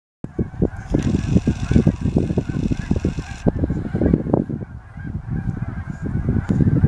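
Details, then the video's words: Large flock of geese at a reservoir in Altus, Oklahoma, honking continuously in a dense overlapping chorus of short, nasal, low calls with no pauses, a soft hiss in the background early on. "Altus Oklahoma resivuar geese"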